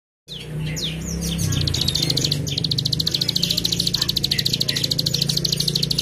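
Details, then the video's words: Prinia (ciblek gunung, in "keteran" chattering song) gives a fast, high, chattering run of repeated notes, about three to four a second, over a low steady hum. "ciblek gunung keteran"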